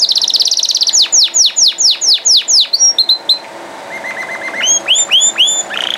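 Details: Canary song beginning with a rapid high trill, then a series of loud downward-sweeping whistles about every quarter second, followed by short flat notes and rising slurred phrases ending in another buzzy trill.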